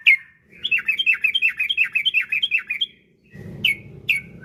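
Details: Yellow-vented bulbul singing as a lure to make other bulbuls sing long phrases: one sharp note opens a long, bubbling run of rolling notes, followed by two clipped chips over a low background rumble.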